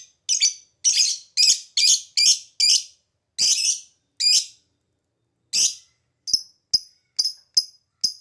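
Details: Ngetik panjang and ngekek singing from a lovebird, meant as a lure to get other birds to reply: a rush of grating chattered notes, a pause, then thin, sharp ticking clicks.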